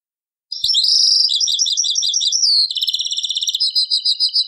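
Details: Taqsraine-style song of a European goldfinch from an old cassette recording: a bright run of liquid twittering phrases, then a long, regularly pulsed rattle-like trill that slows slightly toward the end.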